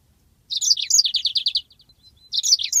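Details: Yellow-fronted canary in long rolling song for a bird-training master: a loud, fast chain of sharp high notes running into an even trill, a brief quiet gap, then more vigorous twittering phrases.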